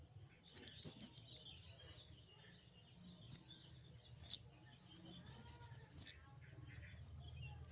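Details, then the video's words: Flowerpecker (kemade) with a quick trill of high ticking notes, then scattered sharp high chirps and a few louder clicks over faint low hum. "Suara burung kemade"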